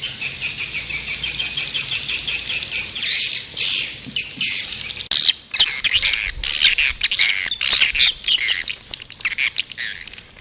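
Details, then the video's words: White-nest swiftlet lure call recording used to attract swiftlets: dense, high, buzzy chattering twitters from many birds, rapid and continuous, turning into sharper clicking chirps midway. "Suara Panggil burung walet"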